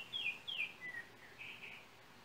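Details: Song of a Yellow oriole in Trinidad, captured on a cell phone: a quick run of pure, slurred whistles, the first two sharper and dropping, followed by softer warbled notes fading out against faint hiss.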